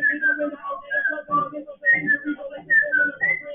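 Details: Pet African grey parrot indoors on its first attempt at freestyle rapping: a steady stream of mid-pitched whistled glides, some falling, some level, woven over low mumbled speech-like babble in a rhythmic flow.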